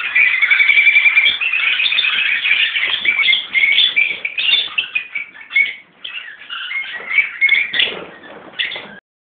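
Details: Mixed captive colony of Peach-faced and Fischer's Lovebirds, parents and young: loud shrill chattering, thinning toward the end into separate sharp squeaks and short screechy calls with gaps between.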